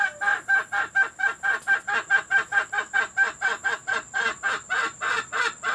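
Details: Hen calls meant to coax hens into laying eggs, recorded for playing to laying hens: a steady series of loud, nasal clucks, a little over two per second, keeping the same pitch throughout.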